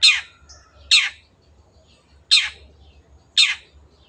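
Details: Long-tailed shrike uttering four loud, harsh, downward-sweeping rasps spaced about a second apart, with faint twittering in between.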